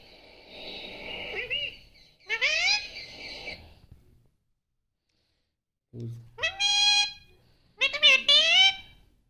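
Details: Pet parrot being taught to say "mummy papa", answering with squeaky, nasal utterances in short bursts separated by silence, while a person repeats "papa" to it.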